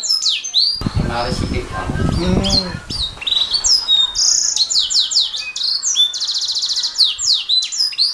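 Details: Canary singing in a master recording for songbird training: high whistled sweeps and rattling trills, partly masked for about two seconds by a loud low rumbling knock and noise, after which rapid downslurred notes and buzzy trills continue.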